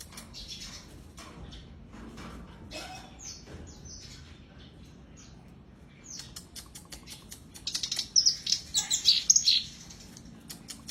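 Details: Black-browed reed warbler song, used as therapy for birds that have gone quiet: scattered sharp chirps and ticks at first, then a loud burst of rapid, high, scratchy notes in quick succession near the end.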